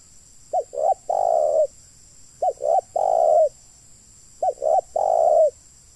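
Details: Three quick-succession coo phrases from a spotted dove used as trapping decoy, about two seconds apart, each two short coos leading into a long, even, hollow coo; quiet surroundings.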